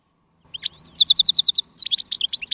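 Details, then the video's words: Decoy goldfinch singing outdoors to call wild goldfinches on a day of field trapping: a fast, bright twittering series of rapid buzzy trilled notes, a steady run then a varied jumble, loud and clear with no other sounds. "Jilguero de reclamo jilguera de jarilla y jilgueros de campo"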